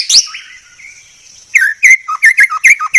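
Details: White-rumped shama masteran tutor song, very clear. A soft rising whistle and a pause lead into a loud, rapid run of sharp, downslurred whistled notes, about eight in one and a half seconds.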